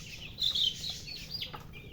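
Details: Chicken (murgi hen) giving a quick cluster of loud high chirps early on, then scattered softer rising and falling peeps, over faint low background noise.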